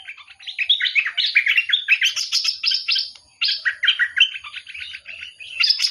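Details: Bulbul delivering long, busy phrases of tumbling whistled and chirped notes, briefly pausing before starting another energetic run.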